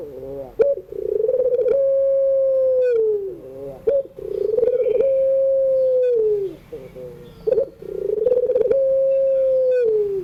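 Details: Barbary dove in the drawn-out pelung style, afternoon, a training sound for young birds: three repeated phrases, each starting with a pulsing roll, holding a long flat low tone, then gliding downward.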